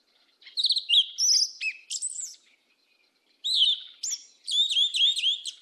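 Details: Yellow-legged thrush song in the 'mateiro do sul' style. Bright whistled and trilled phrases come in two bursts separated by a second of silence, with repeated looping notes at the end. The recording is clean.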